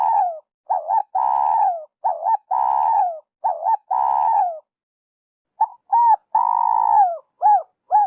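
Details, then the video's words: Trapping lure of a spotted dove: rapid series of phrases, short wavering coos each tied to a long falling coo, four in a row, then after a break short arched coos and another drawn-out coo. "Tiếng chim cu gáy dành cho ae đi bẫy"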